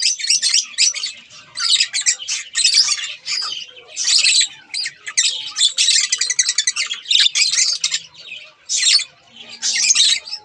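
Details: A pair of budgerigars kept as pets, giving dense, scratchy warbling chatter with short high chirps and squawks in quick bursts separated by brief pauses, over a quiet indoor background.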